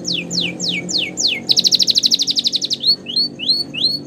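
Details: Canary training song: five slow steep down-sweeping whistles, then a loud rapid rattling trill and a few rising chirps, with a faint low musical tone behind.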